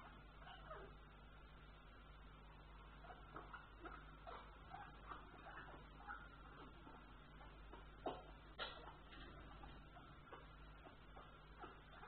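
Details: African grey parrot in breeding behaviour, making faint, scattered whining squeaks and short clicks through a constant low electrical hum, with a louder pair of sharp notes late on.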